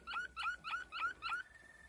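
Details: Malinois Waterslager canary from 2020 delivering five quick rising, bubbly whistled notes in even rhythm, then shifting into a long, steady held whistle that fades out.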